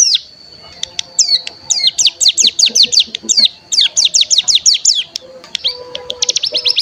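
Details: Cigun (mountain tailorbird) lure mixing its typical call, wild 'bren' bursts and prinia fill-ins: rapid chains of high, sharply sliding notes in dense bursts, a thin steady tone beneath, a few lower chirps near the end.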